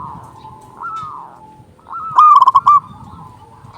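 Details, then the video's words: Local zebra dove, loud and eager, sung to lure doves: a single crisp phrase of five or six quick hollow coos after soft drawn-out cooing in the background. "Perkutut lokal gacor suara besar Panggilan burung perkutut untuk yang susah bunyi langsung nyaut"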